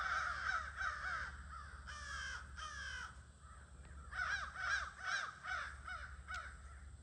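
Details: Crows at their near-evening gathering on 22 August: rapid harsh caws, then two longer raspy, drawn-out calls, a short lull, and another burst of quick caws from several birds.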